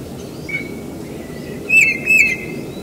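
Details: Tufted titmouse singing in spring around a house where the species began appearing about five years earlier; a thin steady whistle, then two short slurred whistled phrases close together near the end, over a soft low background rumble.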